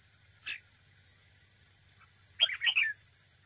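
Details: Caged decoy red-whiskered bulbul in competitive singing at a trap: one soft chirp, a long pause, then a loud quick tumbling phrase of bright liquid notes, with a continuous thin high-pitched background tone.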